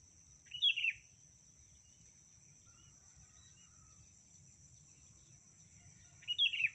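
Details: Female sooty-headed bulbul calling to the male: two brief, bubbly, chirping phrases, one near the start and one at the end with a long gap between, over a steady high-pitched insect drone and faint low rumble.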